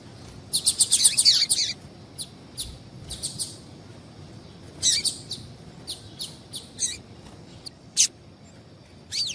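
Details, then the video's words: A female double-collared seedeater calls to set males singing: a dense burst of high, sharp, overlapping chirps at the start, then scattered quick ticking notes repeated irregularly through the rest. "Esse Piado de Fêmea de Papa capim é Seu Papa capim Vai Ficar Cantando RÁPIDO!!!"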